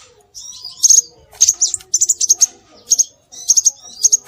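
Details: Scarlet minivet (sepah raja) lure calls: clusters of two to four sharp, very high notes with some rising whistles, delivered in short bursts about every half second.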